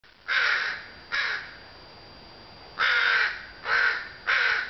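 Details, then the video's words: Crows cawing in summer sun early on a June afternoon: five harsh, broad caws in two bursts, two then three, with a quiet gap between. "A Chorus Of Crows"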